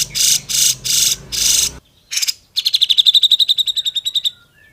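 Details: Grey-cheeked bulbul training recording: four loud harsh noisy bursts, then a rapid, even trill of sharp repeated notes that fades out.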